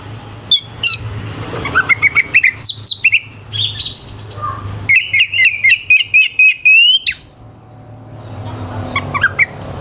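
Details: Oriental magpie-robin song with harsh, sharp fills, played to provoke competing birds. Rapid chips lead into a long run of rhythmic repeated whistled notes, then a rising slur, a pause and softer calls.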